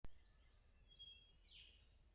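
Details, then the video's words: Bird song: soft whistled notes sliding up and down, a clear steady tone near the middle, over a constant high hiss and low rumble. "It's so beautiful to hear the sound of birds."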